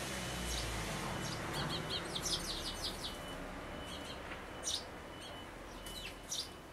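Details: At a nest box in May 2012, sparrow parents busy around a chick showing its head one day before leaving; bursts of quick high chirps in short clusters, set against noticeable background rumble and hiss.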